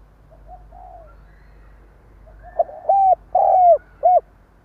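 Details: Stuttering coo from a decoy spotted dove, meant to provoke wild birds. Soft low murmurs lead into four loud hollow coos, the third longest and sliding downward. Faint low rumble underneath.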